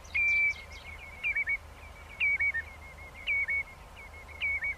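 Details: Common redshank gathering its flock with rapid whistled calls delivered in bursts of two or three piping notes, about five bursts in quick succession against a low background hiss.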